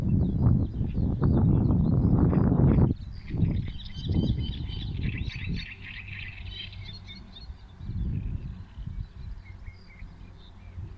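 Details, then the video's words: Several wild birds singing on 23 May 2022: short high chirps and trills overlapping in a busy chorus, heard behind loud low rumbling noise that dominates the first three seconds and then fades. "Rozmowy ptaków"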